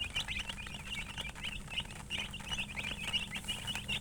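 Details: Colored chickens with a hen chirping: dense, overlapping high peeps from several birds in quick, uneven succession throughout, with a faint low hum underneath.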